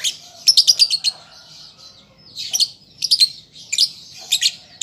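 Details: Young lovebird learning its song: a quick stutter of piercing chirps, a long quiet gap, then further scratchy high bursts spaced about a second apart.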